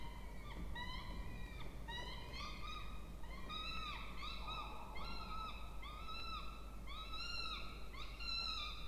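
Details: Two Peregrine falcon chicks begging while being fed in a nest box in a water tower at Charles Sturt University, Orange, New South Wales, Australia, 20 October 2024; rapid harsh rising-falling whining notes in a steady overlapping series over a low hum.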